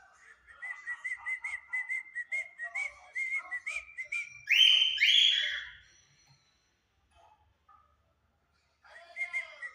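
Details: Two cockatiels, a white one and a yellow one, singing together at 5 pm. A long chain of rapid, even whistled notes leads into two loud harsh screeches, followed by silence and then more whistling.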